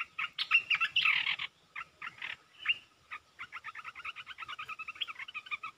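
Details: Red-whiskered bulbul song in rapid 'poet dok' style: warbled bursts at first, then a long, fast run of evenly spaced, bubbling chirps, about four per second.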